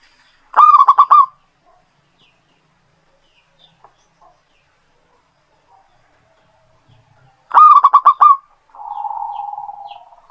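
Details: Local zebra dove in full song, recorded as a lure for other birds: two separate phrases of staccato, pulsing coos several seconds apart, with a soft buzzing hum at the end.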